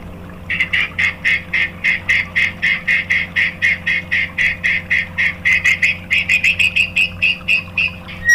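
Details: White-rumped shama used as a lure for other shamas, giving a long series of harsh, evenly spaced chattering notes, roughly four per second, with a steady low hum behind.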